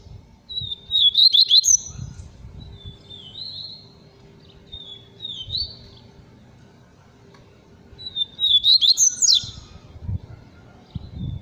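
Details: Seedeater (papa-capim) singing the pure "Tui Tui" song style: high, thin whistled phrases with quick rising and falling notes, given in short bursts about every three to four seconds with pauses between, faint low rumbling beneath.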